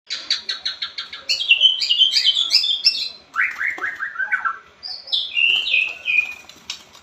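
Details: White-rumped shama in full, energetic song from Indonesia: a series of quick repeated notes, then loud varied whistled phrases sweeping up and down, some falling slurs, with brief pauses between bursts.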